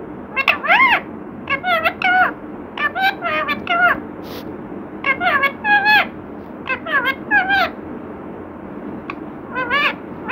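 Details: Talkative parrot mimicking human words such as Radhe Krishna: a run of warbling, wavering voice-like phrases with rising and falling tones in short bursts, with music and human speech nearby.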